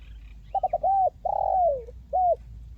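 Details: Spotted dove (tekukur) singing in the crisp 'mersik kuk 1' style, recommended as playback to prompt quiet birds to sing: three quick short notes, then a mellow coo, a longer falling coo and a final short coo, over a low hum.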